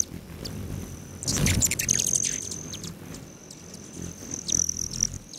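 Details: Hummingbirds at patio feeders outside Great Sand Dunes National Park, Colorado, on July 29 at 9:14 AM: sharp, very high ticking chips in loose bursts, with a thin steady high whine drifting in and out and low rumbling background.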